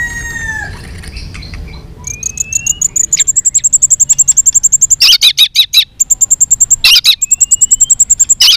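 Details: White-rumped shama in fighting song: after faint falling whistles, a long rapid trill of very high thin notes runs on, broken by harsh buzzy bursts and brief upslurred whistles.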